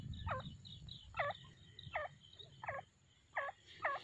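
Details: Breeding pair of grey francolins, aged five years and breeding three times per season, calling in a loud series of hoarse, looping notes repeated about every 0.7 seconds, with low background rumble.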